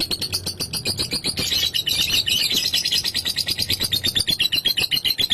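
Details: Rapid shrill chattering of a lovebird's ngekek song, used to provoke competing birds: dense high pulses run without a break, swelling louder mid-way and ending in evenly spaced beats.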